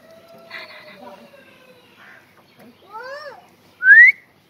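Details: A pet Kashmiri ringneck parakeet (Rose-ringed parakeet) mutters voice-like syllables, then gives a few arched whistled notes and one loud, sharp upward whistle at the end.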